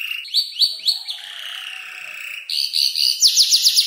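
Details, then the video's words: Canary of around five months imitating tutor birds including ciblek, klik-klik and prenjak lumut: a few sharp falling notes, a long wavering mid-high tone, then dense rapid trilling and crisp clicking strokes. "Kicau burung kenari gacor noto lagu U 5 bulan"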